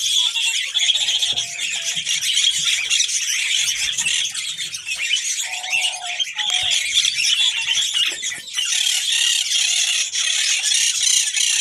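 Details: Female red-crowned parakeet, the New Zealand kakariki, ready to mate: continuous harsh, high chattering with brief lower whistled notes near seconds 1 and 6, loudness dipping briefly before resuming.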